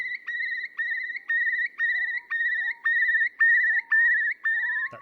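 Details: Eurasian curlew at a British wetland in early spring: a run of clear whistled notes, about two a second, each with a soft rising slur beneath, building into its long rising bubbling song.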